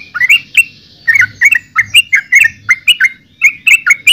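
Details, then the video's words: Yellow-vented bulbul delivering a run of bright, bubbly chirps after a short pause, notes spaced evenly and bending up or down in pitch. "Suara Burung Trucukan"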